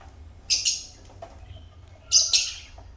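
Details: African lovebirds giving two brief harsh, high-pitched chirp bursts about a second and a half apart, over a quiet low hum.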